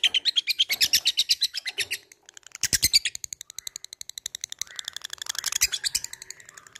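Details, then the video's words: Lovebird fighter calling a rival in ngetik ngekek fashion: strings of fast, high, clipped notes, a short gap, a harsh burst, then a long rapid ticking trill that grows louder and buzzier. "LABET memanggil lawan | ngetik ngekek fighter"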